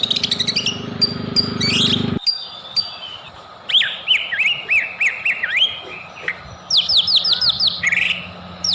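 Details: White-rumped shama song as a lure to trigger singing: loud rattling bursts, then varied rising and falling whistled slurs and a run of sharp downslurred notes, over background hum.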